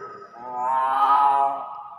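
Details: Common hill myna mimicking human speech with a voice-like, harmonic-rich drawn-out 'wow' that swells and fades over about one second.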